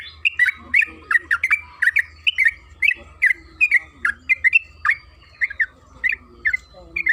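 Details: Lure recording of a yellow-vented bulbul (trucukan kebo) in energetic, long-running song: quick, evenly paced chirping notes that rise and fall, with a low hum in the background.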